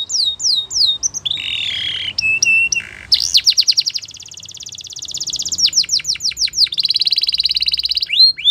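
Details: Belgian canary training song of falling whistles, lower gurgled notes, then extended rapid trills and rolls alternating with sweeping whistles, soft background hum.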